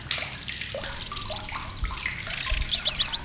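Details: Loud, shrill song of a migrant grasshopper warbler in Indonesia. Quiet scattered chirps give way to a sustained high, insect-like reel near the middle, then a fast jumble of sharp zigzag notes at the end.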